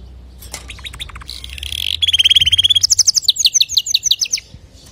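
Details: Clear song of a male canary intended to teach young canaries, moving from soft chirps to a fast rolling trill and then quick high repeated notes.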